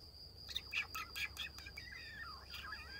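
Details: Eurasian blue tit nestlings in the nest while being fed: quick bursts of thin, high, scratchy chirps for about a second, followed by wavering twittering notes, with a steady high tone running underneath.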